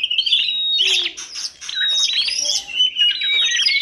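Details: Bird from a kacer, tledekan gunung and prenjak masteran compilation giving loud, high whistles, rising slurred notes and rough scratchy bursts in quick succession.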